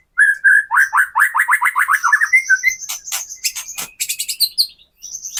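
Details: Captive-bird provoking song of the white-rumped shama: a fast run of repeated sharp downslurred notes, then harsh rasping bursts mixed with high thin whistles and chips.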